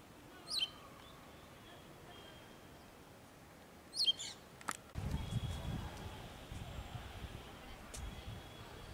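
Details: Wagtail calling during food collection for its chicks, a male-female exchange: two high descending chirps in the first half, then a burst of low rustling and handling noise.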